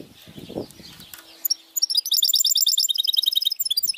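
A goldfinch mule sings a rapid, high, tinkling twitter of quick repeated notes.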